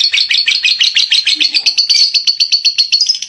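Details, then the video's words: Lovebird giving a short stretch of harsh, high chirping chatter, the notes tumbling quickly at first and then settling into an evenly pulsed, slightly rising trill. "Burung love bird banyak di gamari orang ternyata...gacor suaranya"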